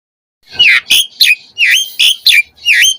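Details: Asian pied starling used as a singing lure for captive starlings, giving seven harsh, rasping squawks with a bent, dipping tone, spaced about every third of a second.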